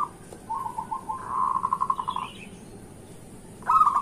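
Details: Morning zebra dove song for prompting quiet local doves: a series of soft coos that speed into a rolling, pulsing trill lasting about a second, a pause, then another louder cooing phrase begins.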